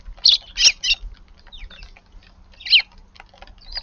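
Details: Garden Eurasian tree sparrow in the early morning, arriving once a brown-eared bulbul had left: three harsh chirps in quick succession, a pause, then one more loud chirp and faint ticking.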